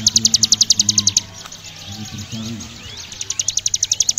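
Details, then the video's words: Javan prinia in lively 'ngebren' song, a long rapid delivery: fast runs of sharp pulses, about eight per second, open and close the phrase, with a softer, lower twittering middle section between them. "Ciblek gunung gacor ngebren atas bawah mental juara"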